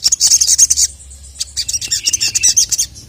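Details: Agitated sogon, the ruby-cheeked sunbird, calling a male. A dense, high-pitched chittering burst, then a short gap before a second run of sharp, thin twittering notes.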